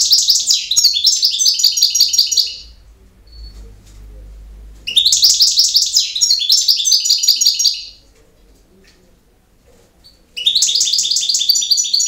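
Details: European goldfinch in campero song: three long bursts of fast, sparkling twitters and buzzy rattles, each two to three seconds, separated by gaps. A soft low hum is heard between phrases.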